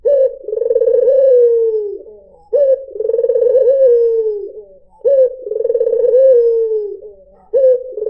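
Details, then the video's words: Rhythmic cooing from a white dove (puter putih) played to lure birds. Low, rich phrases repeat about every two and a half seconds, each with a quick onset, a rippling middle and a drawn-out smooth finish. "PANCINGAN SUARA BURUNG PUTER PUTIH || SUARA BURUNG PUTER MERDU"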